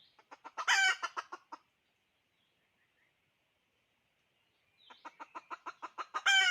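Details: Decoy hen calling: two bursts of rapid clucks, each rising to a loud, raspy cackle, separated by several seconds of near silence with faint distant bird notes.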